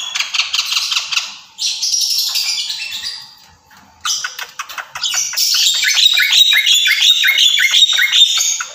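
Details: Captive Javan myna's song of rough, buzzy chatter, broken by a short silence, then resuming as a rapid run of repeated scratchy clicks and rasps, loud and close.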